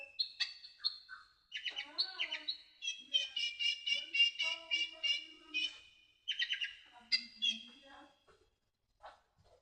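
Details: Sunbird song for training other songbirds, a fast run of high, bright chirps and trills, many repeated rapid notes bunched into bursts, with brief gaps and a final few isolated notes.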